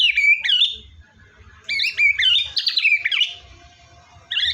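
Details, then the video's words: White-rumped shama singing, played to coax a quiet shama into song: loud, varied whistled and warbled phrases in short bursts with brief gaps, a faint steady tone beneath. "MURAI BATU GACOR!!! ampuh buat burung murai batu males bunyi"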